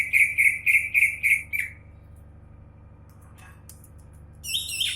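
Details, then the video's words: Champion greater green leafbird producing six rapid, evenly spaced piercing chirps, then falling silent before a final high, sustained whistled note. "Burung Cucak ijo juara"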